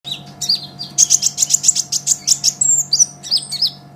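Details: Olive-backed sunbird (kolibri ninja, green-plumaged type) singing vigorously, recorded as a master track for training songbirds: a rapid run of high, sharp chirps at about seven per second, ending in thin whistled slurs, over a faint steady hum.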